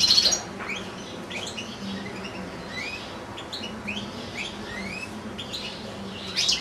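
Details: Caged European goldfinches kept alongside two young goldfinch-canary hybrids, one goldfinch singing a long recital: thin, high twittering with quick rising slurred notes and short trills repeated throughout, over a steady low hum.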